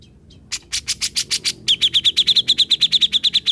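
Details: Grey-cheeked bulbul (cucak jenggot), formerly mute and now vocal, giving a row of harsh, buzzy notes that switch into a steady, quick rattle of about twenty bright, clipped chips.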